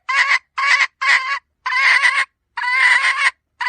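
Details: Female red junglefowl giving a sound used to attract wild birds: six harsh, broad squawking notes of uneven length, the later ones longer and drawn out, separated by short silent gaps.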